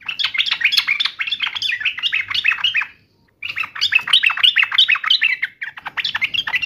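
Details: Lively yellow-vented bulbul song in gacor style, answering a rival: long, dense runs of quick rising and falling warbled notes, broken by one short pause near the middle.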